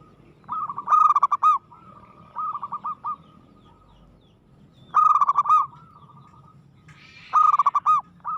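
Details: Local zebra dove in aggressive, strong-spirited song, giving four bursts of rapid rolling coos roughly every two to three seconds, the louder phrases ending in a few separate emphatic notes.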